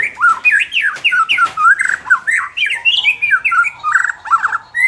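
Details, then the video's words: Song of a white-rumped shama, used to help a bird lacking fighting spirit: quick sequence of loud, looping whistles and harsh squawky notes, rising and falling, delivered almost without pause. "suara ini dapat mengatasi murai batu kurang ngotot"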